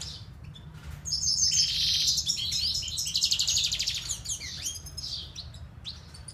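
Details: Siberian goldfinch in full song: a long buzzy rattling phrase followed by twittering notes and downslurred whistles, with a low hum beneath.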